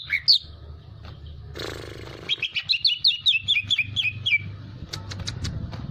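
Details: Hyperactive greater green leafbird: a short buzzy burst, then a rapid run of about a dozen bright, repeated, down-slurred whistles, ending in a few sharp clicks, over a constant low hum.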